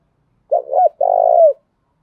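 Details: Spotted dove coo in the 'cu thúc gù' style, for daily voice practice: a bouncing two-note opening followed by a long, steady, vibrating coo that drops in pitch at its close. The background is silent.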